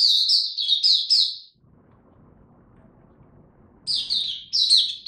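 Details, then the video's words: Oriental white-eye ramping up form with 'buka tiong aw' singing, dated 3 January 2022: a rapid high twittering phrase, a pause of about two seconds with faint low rumble, then two more sharp chirpy bursts. "Mata Puteh Dagger ramp up form buka tiong aw sing"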